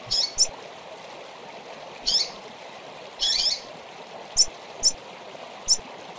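A female Rusty-collared seedeater gives seven thin, high chirps at uneven intervals, some doubled, over a steady rushing hiss like running water.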